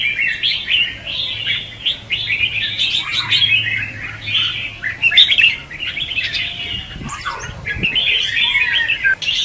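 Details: Red-whiskered bulbul singing the competitive 'hót ché' song, used as a decoy for trapping and training. Long stretches of dense bubbling warbles with sharp chirps and a few clicks, briefly dipping midway.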